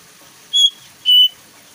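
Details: Bulbul (jongkangan) song used as a lure to prompt kept birds to sing: two clear, loud whistled notes, each short and level, about half a second apart, over a quiet background.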